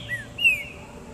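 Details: Green-winged saltator kept as a pet, put out in the garden in the sun, giving two clear whistled notes. Each note slides downward, the second higher and louder, over a soft background hiss.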